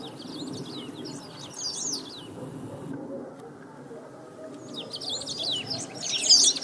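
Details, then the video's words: Great pampa-finch (sabiá-do-banhado), a rare Brazilian bird, singing loudly and nonstop: rapid, jumbled high twittering and chirped phrases. A brief pause comes midway, then the song resumes louder, over a soft low background murmur. "CANTO DA SABIÁ DO BANHADO 🐦 | RARIDADE DA NATUREZA CANTANDO FORTE E SEM PARAR!"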